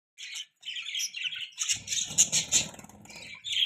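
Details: Pet budgerigars chirping: busy, scratchy warbled chatter in quick bursts, with a short pause near the start and a low rattling thump under the second half.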